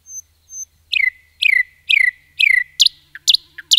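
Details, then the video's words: Nightingale in forest song, starting with two thin high whistles, then four loud down-slurred notes each with a stuttering onset, followed by sharp high chips alternating with low short notes. "Nightingale song"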